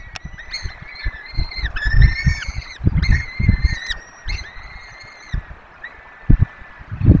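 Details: Peregrine falcons at a nest in the Barycz Valley, filmed by webcam while feeding four chicks; a run of drawn-out, wailing calls with rich overtones, some level and some dipping, given in close succession over steady wind rumble.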